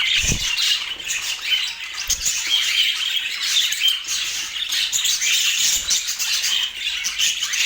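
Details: Flock of budgies in Portland twittering nonstop, bright chirps and warbles layered thickly, with a few soft low thumps.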